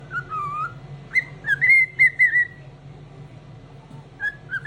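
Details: Pet cockatiel singing in a very cheerful mood in the morning: clear whistled phrases, some gliding and wavering, in short bursts with pauses, over a steady low hum.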